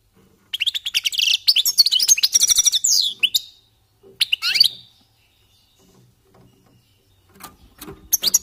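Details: Goldfinches warming up, giving a dense three-second run of rapid twittering and buzzy trills, then a short burst and quiet scattered notes, ending with faint chirps.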